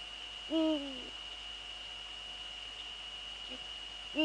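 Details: A male Eurasian eagle-owl in the Netherlands, 17:30 on 6 February 2013, utters one low, slightly descending hoot, then another begins nearly four seconds later; a continuous high-pitched whine runs underneath.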